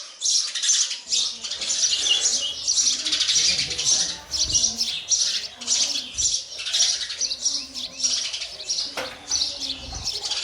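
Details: Sparrow chicks calling while a parent feeds them: dense, high-pitched chirping in rapid, overlapping bursts that rise and fall in loudness almost without pause for the whole stretch.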